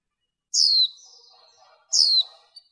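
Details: Female warbling white-eye in a recording with noise trimmed away: two loud descending high chirps about one and a half seconds apart, each trailing into soft buzzy twittering, with faint low murmurs underneath.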